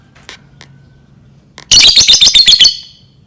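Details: Lovebird singing, played to encourage other lovebirds to learn to sing: two faint ticks, then a loud, rapid string of shrill, piercing high chirps for about a second before stopping.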